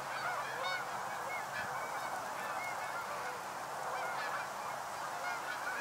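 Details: Canada geese of North America dropping in at a northern USA stopover on fall migration: a crowded honking chorus with several clear, nasal two-part honks rising above the mass of calls.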